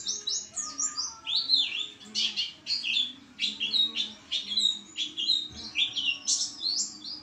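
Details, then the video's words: White-eye (pleci) in full, energetic song: a fast, unbroken run of high, thin twittering and warbling notes, with bright chirps tumbling over one another throughout. "pleci gacor"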